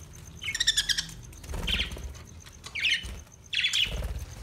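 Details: Australian budgie calling in four quick chirping bursts, each a short scratchy trill, over low rumbling background noise.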